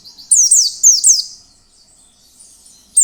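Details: Oriental white-eye singing in wild style (ngalas), a lure song meant to set other white-eyes singing. A short phrase of four or five high, quick, falling whistled notes is followed by fading softer twitters.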